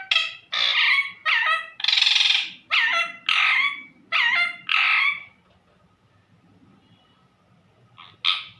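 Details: Pet parrot calling to its owner: seven loud harsh squawks in a row, each about half a second long, followed by a quiet pause and then one more squawk.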